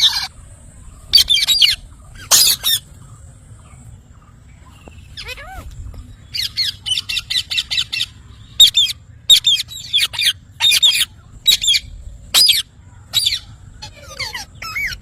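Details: Parrot calling with rough, grating squawks, a couple of loud ones early, then after a quiet spell a long irregular series of short harsh notes, some in quick pairs.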